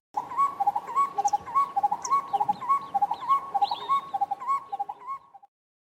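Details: A Black-collared Barbet, a common bird of South Africa's Eastern Cape, gives a rapid, ringing series of paired notes repeated in a steady bouncing rhythm for about five seconds.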